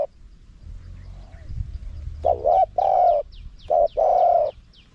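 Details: High-voiced spotted dove in the wild-style song used to lure wild doves. Low rumble first, then a wavering coo, a long steady coo, a short note and a final drawn-out coo.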